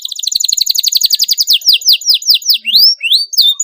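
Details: Sharp, rolling canary song for drawing out song in young canaries: a very fast trill of repeated notes, slowing into loud downslurred whistles and then rising sweeps.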